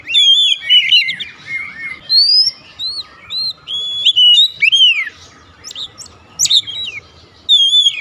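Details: Varied whistled song of an Oriental magpie-robin singing 'nembak', mixing falling warbles, rising clear whistles and high thin notes in phrases separated by short pauses, over faint background hum.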